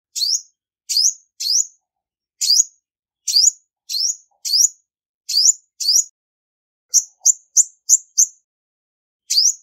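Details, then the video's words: Female Olive-backed Sunbird calling up males in a noise-free recording: steady sharp rising chirps about every half second, then a quick burst of six short high notes before one last upslur. "Tiếng chim Hút mật 5 màu mái không tạp âm | Olive-backed Sunbird Female"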